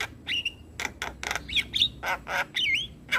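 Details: Morning training recording of an Asian pied starling, used to teach young birds: harsh rasping notes alternate with short whistled slurs and a wavering chirp, about two notes each second.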